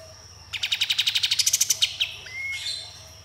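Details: Sooty-headed bulbul delivering a 'tembakan' burst: about fifteen rapid, evenly pulsed high notes lasting a second and a half, followed by a short thin whistle.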